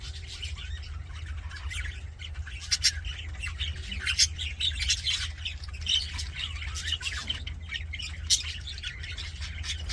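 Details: Happy budgerigars chattering in a steady stream of bright, scratchy chirps and short warbled notes, with sharper squawks near the third, fourth and eighth seconds over a constant low hum.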